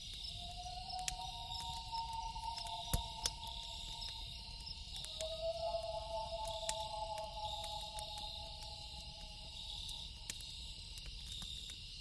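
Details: Loon at night giving long, smooth, drawn-out wailing notes that hold steady for several seconds, shifting pitch once partway, while crickets buzz continuously and a campfire pops and crackles.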